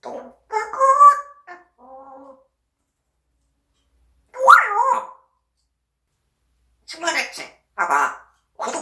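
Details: Pet parrot of unknown origin for its learned sounds, giving warbling, harmonic vocal phrases in short bursts: a wavering call, a low hum-like note, then after a pause a bending whine and several rapid chattery bursts, indoors.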